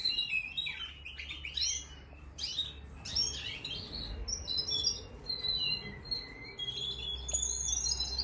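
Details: Four-month-old caged canary in a bird room, singing. It opens with rapid descending chattery bursts, then moves into thin whistled notes and trills. Low rumbling room noise is heard throughout.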